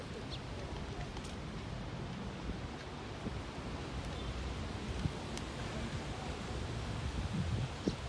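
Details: Steady wind and rumbling low-frequency noise with a few faint clicks, and no animal voice.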